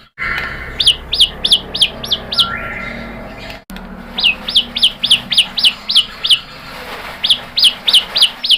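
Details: White-rumped shama song used to trigger singing in captive birds: short, high, ringing notes repeated in quick groups, with a brief lower whistle early on and light background hiss.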